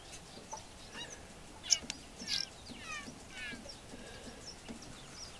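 Wire-tailed swallow giving thin, high chirps and quick twittering runs of short notes at an irregular pace, over a faint steady background hiss.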